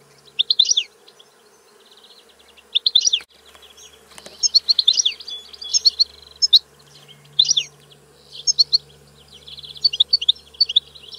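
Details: European goldfinch giving short separated bursts of high tinkling twitters, roughly one burst every second or two, with quiet gaps and a faint steady hum throughout.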